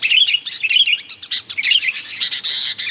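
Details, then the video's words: Sooty-headed bulbul calling noisily, intended to attract wild bulbuls: clusters of quick chirps and warbled notes, dipping briefly in the middle before a strong continuous burst. "mp3 suara burung kutilang ribut gacor, 💯% sangat ampuh buat Pikat kutilang liar"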